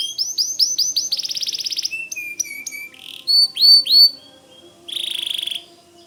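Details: Lively white canary song mixing looping swept notes, a rapid trill, lower sustained whistles and short loud buzzy bursts, separated by brief gaps.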